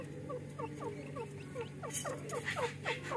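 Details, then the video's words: Two grey francolin (teetar) chicks, play-fighting as young chicks do, give thin, falling peeps, several a second and overlapping, over a steady low electrical hum. "teetar chicks calling || teetar ke bacche ki awaz || dakhni teetar chicks voice"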